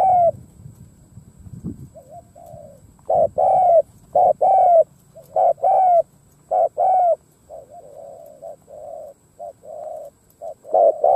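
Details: Decoy spotted dove cooing to draw in wild doves: soft low coos at first, then a run of loud paired hollow coos, short then long, followed by quieter coos and a loud pair at the end; low rumbling noise early on.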